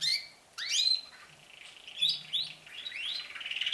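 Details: Canaries starting to sing, their trills heard longer and more often; rising whistled slurs and chirps followed by a quick rattling trill, with a faint low hum in the background.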